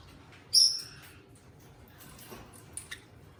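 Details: Eastern rosella kept as a pet alongside another, giving one bright, strident squawk with a thin whistled edge, followed by faint taps and two tiny clicks.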